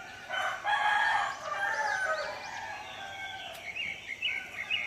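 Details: In a village in the morning, a rooster gives one long, hoarse, drawn-out crow of about two seconds, followed by small birds chirping and twittering in high, quick notes.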